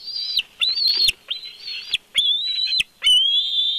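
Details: Bald eagle calling at the nest at Big Bear, picked up by a live nest cam: a run of loud, piercing whistled squeals, each a held, slightly wavering note broken off sharply, with short gaps and faint knocks between phrases.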